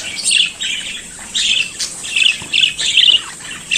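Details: Budgerigar chattering in harsh, scratchy squawking bursts, about six phrases of grating warble with short quiet gaps.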